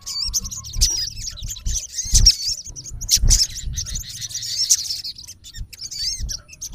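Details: Thin, high sunbird twittering from a male olive-backed sunbird calling a rival, wavering chirps strung together, loudest in the middle, with low knocks and rumble beneath.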